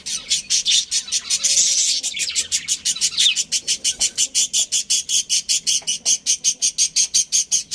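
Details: Budgerigars in a home breeding colony, with a dense warbling chatter that gives way to a long, rapid run of short, rasping, high pulses at about four or five per second.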